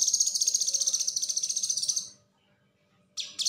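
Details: ['Rapid konslet chatter from a cucak kinoi, recorded to teach other songbirds: two seconds of loud, high, evenly pulsed buzzy notes, a pause, then two short renewed bursts.']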